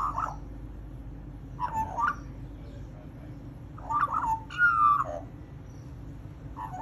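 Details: Magpie calling in short warbled phrases, each a rich, slurred burst of mid-pitched notes with a few higher squeaky overtones, separated by pauses of one to two seconds over a low steady background hum.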